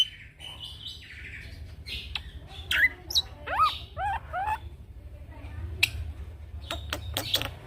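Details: Young male black-winged myna, recorded as a training tutor for other birds, delivers a varied rolling song of rising whistled slurs, clicks and sharp chips over faint low hum.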